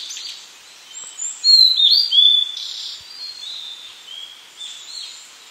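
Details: Blue-and-white flycatcher singing, recorded on an Olympus PEN mini E-PM2 camera; a loud burst of clear, slurred whistles rises and falls over about a second, with fainter high whistled notes and soft hiss before and after.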